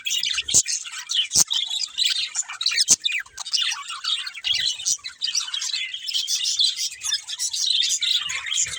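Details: Several budgies chirp together in a dense, continuous chatter of high, scratchy warbles and tweets, with a few sharp clicks near the start.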